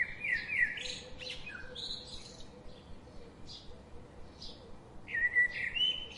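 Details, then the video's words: Daily garden visitors chirping in quick, high, sliding twitters and scattered short chip notes, ending in a brighter warbled phrase, with constant background hiss. "The chirping sound of these daily visiting birds.. makes my day"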